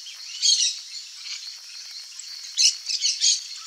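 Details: Red-and-green macaws (Ara chloropterus) give harsh, grating squawks in short bursts, one near the start and three toward the end, over a soft hiss; an adult feeding its chicks; finding: Green-winged macaw.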